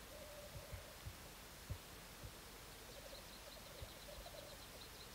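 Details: Black grouse during a 2014 courtship display, giving repeated low bubbling coos in a steady stream, with scattered soft knocks and faint high chirps in the distance.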